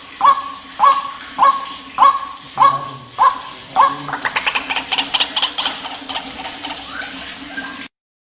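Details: Lure call of a white-breasted waterhen. Seven evenly spaced, hoarse croaking notes come roughly every 0.6 seconds, then break into a rapid, harsher chattering run for about four seconds before an abrupt cut to silence.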